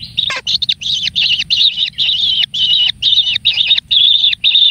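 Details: One pampered kingfisher chick being fed: loud, harsh, buzzy calls repeated steadily, each about half a second long with short silent gaps, after an opening downward squeal.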